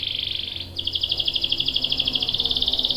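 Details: Canary's long rolling song, meant to set other canaries singing: a steady buzzy trill, a short break, then a fast even pulsing trill of about ten notes per second, with faint background noise.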